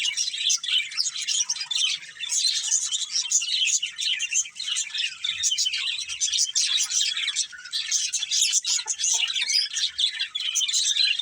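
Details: Breeding pair of budgerigars chirping: dense, unbroken high-pitched chatter of rapid twittering and buzzy warbled notes that overlap continuously for the whole eleven seconds, with no pauses and no other clear sounds.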